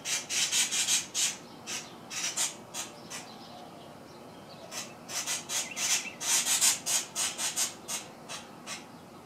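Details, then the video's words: A cactus wren cussing, giving harsh, raspy scolding notes about three a second in two bursts with a short pause between them, upset by a cat under its tree. "cactus wren cussing"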